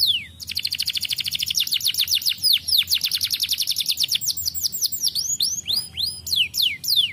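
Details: Song of a canary for stimulating juvenile birds to sing: after a falling whistle, a long dense rattling trill of downward-sweeping notes runs for several seconds, ending in slower looping whistles.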